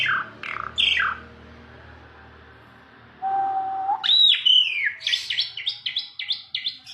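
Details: Asian pied starling song opening with sharp downslurred chirps, then a pause, a long flat low whistle, and a burst of rapid rising-falling chattering notes repeated several times per second.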